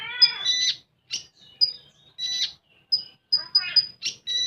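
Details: Common iora song in full tembakan style, starting with a nasal harmonic chatter, then scattered high piping notes and scratchy bursts separated by short silences.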